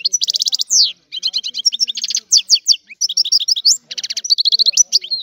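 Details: Old-style song of a Sicilian European goldfinch, unbroken for five seconds: fast liquid twitters, buzzy trilled bursts and upslurred chirps, barely pausing.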